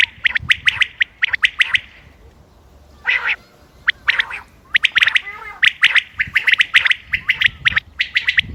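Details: Common quail calling on 28 May 2025 for hunting: rapid clipped notes, a near-silent pause with a couple of harsher calls, then busy overlapping triplets resume.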